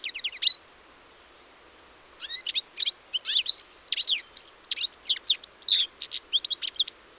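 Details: European goldfinch song recorded on 4 April 2018: a quick burst of high twittering notes, a pause, then a long run of rapid, varied liquid chirps, trills and sharp frequency sweeps delivered almost without break, over quiet background.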